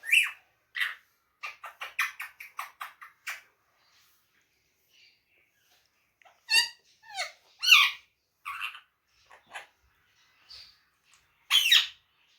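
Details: Pet ringneck parrot in a quiet room mimicking Urdu/Hindi phrases: a rapid run of short clicky squeaks at first, then after a pause several louder, harsh speech-like syllables spaced about a second apart.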